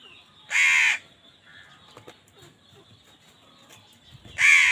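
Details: Crow in a food fight with wild birds gives a harsh caw, a long pause with faint clicks and chirps, then another loud caw.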